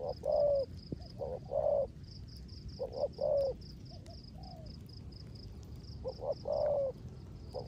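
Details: Spotted dove kept as a decoy, rước gù coo in rainy weather: clusters of low muffled hoots ending in a longer sliding hum, separated by short quiet gaps, with faint pulsing high chirps throughout.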